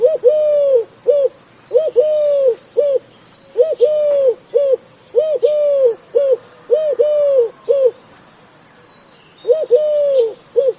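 A dove gives low, hollow coos in short rhythmic phrases of brief and drawn-out notes, repeated every couple of seconds, with faint higher chirps from other birds behind.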